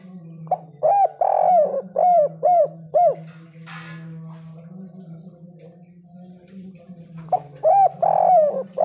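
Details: Loud 'kuk 3' type cooing of a spotted dove: a run of mellow, arching coo notes at roughly two per second, including one prolonged note. After several seconds of quiet, the phrase starts again over a faint continuous low hum.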